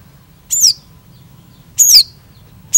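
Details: Long-tailed shrike singing: very high, thin whistles sliding downward, each a brief sweep, spaced over a second apart.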